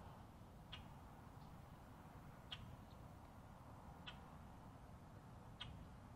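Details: Common grackle (Quiscalus quiscula) on Florida's Space Coast, identified by call as common rather than boat-tailed, gives four short, harsh chack notes about every one and a half seconds over a low rumble of wind or distant traffic.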